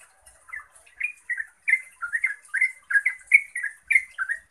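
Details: Yellow-vented bulbul singing to draw replies from other bulbuls; soft opening chirps swell into a quick, loud series of rich bubbling notes, each short phrase sliding slightly up or down.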